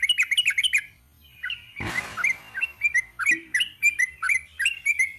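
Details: Sooty-headed bulbul singing in the long rapid 'ropel panjang' style: quick runs of bubbly, chirping notes with sharp downward slurs, broken near two seconds by a brief burst of broadband noise, then further chattering phrases.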